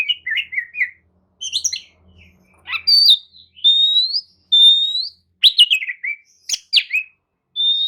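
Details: Oriental magpie-robin performing lure song to make listless birds answer: chattering trills, then a series of clear rising whistles, each about half a second, among sharp chips and warbles, with a brief low hum.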